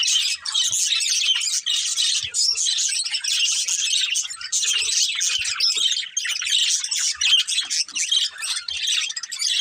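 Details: Several budgies chirping at once: constant bright, raspy warbling and twittering, loud and sustained throughout with barely any pauses.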